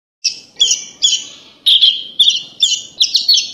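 Horsfield's bush lark singing a run of quick, scratchy, high chirps, about two phrases a second, over a faint low hum.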